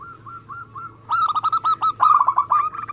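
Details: Lively local zebra dove, fast-paced song meant for contest birds and as a lure: soft clipped coos, then a loud run of quick, trilled cooing notes that speeds up toward the end.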